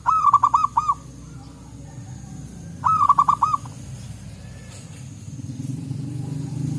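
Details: Wild local zebra doves in forest, calling back and forth: two short phrases of five or six ringing, bubbling notes about three seconds apart, then quiet with low rustling background noise.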